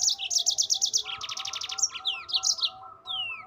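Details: Rolling ngerol song of a yellow-fronted canary, a master recording for songbirds: rapid pulsed high trills running straight into a second trill series, then short downslurred whistles, with a low background tone throughout.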